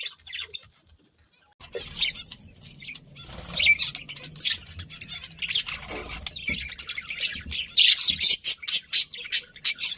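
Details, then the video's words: Budgies giving bright, sharp chirps in irregular bursts over a low rumbling background, the calls growing more frequent toward the end. "Cute Budgies Chirping Sounds"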